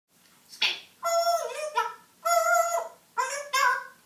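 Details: Pet African grey parrot indoors in a small room, singing "Hallelujah" in clear humanlike voiced phrases, four drawn-out tonal syllables with rich harmonics separated by short pauses.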